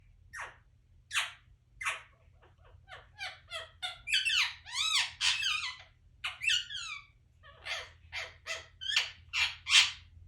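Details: Parrot chirping indoors. Short, bright chirps come about every half second, some rising and some falling. In the middle there is a busier burst of warbled, wavering notes, then the evenly spaced chirps resume.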